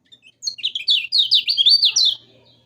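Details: Yellow-vented bulbul song for teaching caged birds to sing: a few soft chips, then a fast, tumbling sequence of loud, looping whistled notes lasting about one and a half seconds.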